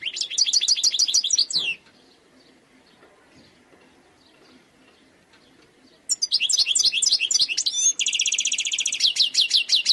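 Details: Wild European goldfinch in khalwi style gives rapid twittering notes, a four-second silence, then intricate slurred whistles leading into a long, dense buzzing trill and further chattering notes.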